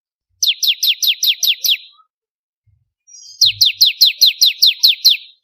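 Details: Ciblek kristal, or bar-winged prinia, sung for teaching songbirds: two rapid trains of bright, high, descending chirps, seven to nine notes each, with a one-second silence between and a soft thud.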